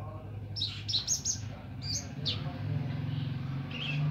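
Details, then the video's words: Streaked spiderhunter singing busily: clusters of piercing high chipping notes in quick succession, then fewer downward-slurred squeaks, set against a loud low droning hum. "Pijantung Gunung Gacor Nganar"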